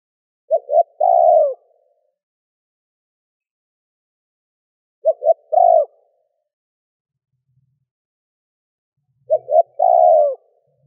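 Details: Spotted dove cooing in the gù, thúc and gáy gọi styles meant to stir wild birds into answering: three phrases about four seconds apart, each two brief coos then a longer purring coo, in a quiet setting.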